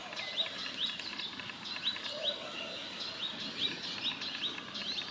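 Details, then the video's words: Male sunbird in Israel giving its warning call while eating, filmed handheld with a zoom camera: sharp, high chirps repeated rapidly, roughly two to three per second, in an irregular series over a faint low background rumble. "Sunbird male warning call"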